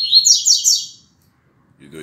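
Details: Rusty-collared seedeater at 6:30 a.m. on 16 December 2019, singing its tuitui song. A quick series of loud, buzzy, downward-sweeping notes lasts about a second, followed by a man's voice.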